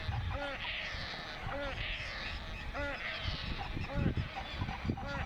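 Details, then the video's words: Hungry painted stork chick crying for food from its mother at Bharatpur Bird Sanctuary: short nasal, arched cries repeated about every second, five in all, over a steady low rumble. "PAINTED STORK //MOTHER AND CHILD // HUNGRY CHILD CRYING FOR FOOD"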